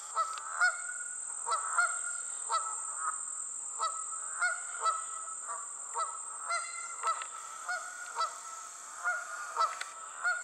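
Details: A flock of geese in flight honks continuously, with overlapping nasal two-part calls coming roughly every half second to second across ten seconds, over a constant high-pitched background hiss.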